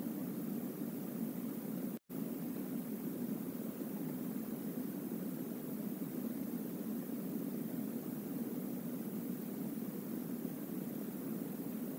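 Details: Only steady broadband hiss with no animal voice, broken by a brief silent dropout near two seconds.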